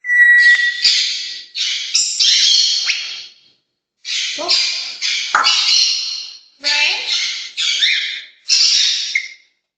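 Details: African grey parrot Ollie, male, calling his owner by name and the family's Pomeranian, imitating other household birds and blowing a kiss: three bursts of mimicked voice-like calls with whistles and squawks, short silences between.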